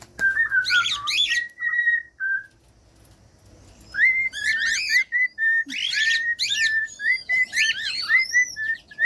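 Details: Cockatiel song mixed with whistles, offered for teaching a pet bird to sing: steady whistled tones near one pitch alternate with bursts of harsh, ringing chatter, with a quiet pause in the middle.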